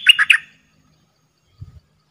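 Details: Decoy dok taeng bird calling to draw wild birds in Thailand: three quick, harsh, high chirps in the first half-second, followed by silence and a faint low thump near the end.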